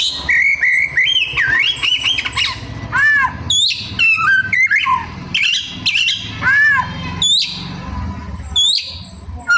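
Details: Oriental magpie-robin pouring out continuous imitated calls: warbled whistles, repeated arched notes, sharp downward sweeps and chatter with hardly a pause, over a low steady background hum.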